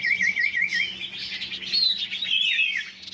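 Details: Huyt Co bird in competitive song, a bright wavering whistle sliding up into a higher, blurred warble.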